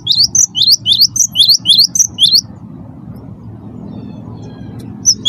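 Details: Singing cinereous tit, its chatty song meant to prompt other birds to sing: about eleven rapid, high, slurred whistles packed into the first two and a half seconds, then near-silence over a low hum.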